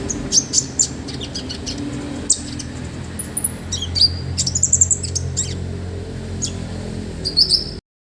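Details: Olive-backed sunbird in a master recording for training other birds: sparse high chirps and a few short whistled trills at intervals, over a steady low hum, ending abruptly in silence.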